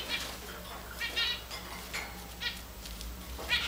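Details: Tame, hand-fed Java finch kept with grey and white Java finches, giving short harmonic chirping calls spaced about half a second apart, with faint low hum in the background.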